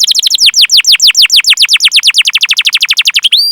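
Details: Canary chirping for training young canaries: a rapid run of steeply descending chirps, about eight per second, loud and clean, ending on a rising whistle.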